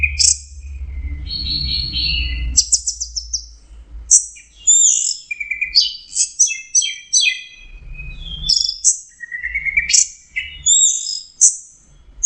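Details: Orange-headed thrush (Geokichla citrina) in a long, melodious song. Rapid stuttered notes and buzzy segments lead into a dense run of quick varied whistled phrases, sometimes rising and sometimes falling, with low background rumble at the start.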